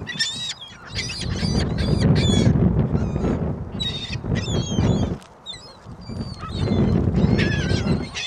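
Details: Gulls at a shopping mall on Christmas Day 2014 in very windy weather: many harsh, nasal, high calls overlap in quick bursts, with heavy low wind rumble underneath throughout.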